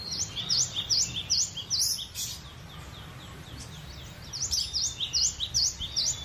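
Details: Cinereous tit (gelatik batu) giving two phrases of loud, sharp, V-shaped whistles, about six evenly spaced notes per phrase, with a brief noisy pause between and a low hum beneath.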